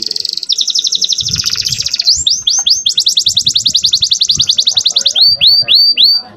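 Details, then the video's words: Canary song played as a master recording for tutoring young canaries and stirring females into breeding condition: fast, high rolling trills with dense repeated notes, then a run of quick upslurred whistled chirps about every half second. Faint low background noise underneath. "MASTERAN KENARI MUDA GACOR ISIAN DAN BIKIN EMOSI - pancing kenari betina agar cepat birahi"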